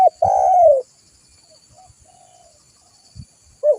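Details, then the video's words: Spotted dove, recorded for luring wild doves and tutoring captive birds, gives one loud low cooing phrase that slurs gently downward. Fainter coos follow, and another starts at the end. A faint steady high hiss sits in the background. "Suara burung tekukur gacor buat Pikatan"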